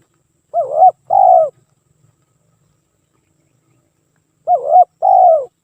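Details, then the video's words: Lure recording of a spotted dove singing nonstop: two paired coo phrases about four seconds apart, each a wavering note followed by a longer falling one, low and mellow, with nothing else heard. "PANCINGAN TEKUKUR"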